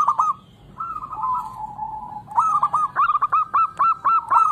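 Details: Local zebra dove singing, played as a lure for doves that are slow to sing: a drawn-out coo first, then a fast run of clipped, bouncing notes repeated about four per second.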